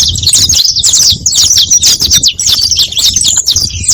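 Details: Lure song of the saffron finch: dense, overlapping high chips and trills running steadily for four seconds, sharp and loud, over a soft low background hum.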